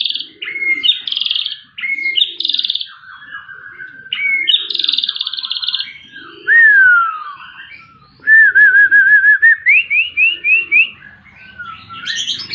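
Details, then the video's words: Long-tailed white-rumped shama pouring out rich whistled song: buzzy bursts, clear slurred whistles, a descending note, a rapid rising series of trills, with soft repeated low arched sounds underneath. "Kicau Burung Murai Batu Ekor Panjang"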